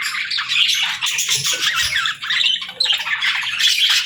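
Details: Harsh squawks and rapid chirps from a pet parrot at the start of its day, loud and nearly continuous.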